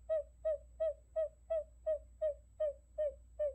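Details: Trapping decoy recording of a buttonquail: a clean series of ten hollow, slightly falling hoot-like notes, very regular at about three per second, over a low steady hum.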